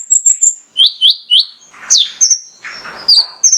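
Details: Mangrove whistler male in song, as a lure to make other birds sing: thin high piping notes, then three strong rising whistles, a sharp downward slur and scattered high whistles amid brief rustling.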